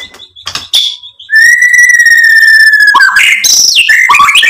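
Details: White-rumped shama, played to provoke singing: a few chips, then a long level pure whistle held for almost two seconds, followed by a burst of buzzy, sweeping notes.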